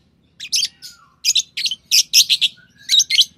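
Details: Rapid run of high, piercing, scratchy lovebird chirps, closely spaced in pairs and short groups, over a soft low background murmur.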